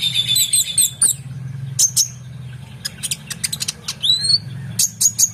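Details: Oriental magpie-robin singing excitedly as tutor song for competition birds: high whistled phrases, rapid clicks and ticks, and a rising whistle near the end, with a low background hum.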